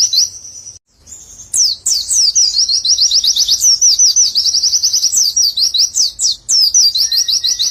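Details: White-eye, called pleci, in a long nembak-style burst: a tight 'witwitwit' joined to ngecer trilling. After a short pause, a sustained rapid stream of bright, high, wavering notes keeps going with barely a break.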